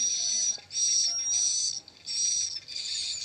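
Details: Swiftlet roosting call played through an amplifier to draw swiftlets in to roost: bursts of dense, high, buzzy twittering, each about half a second long, repeated with short gaps.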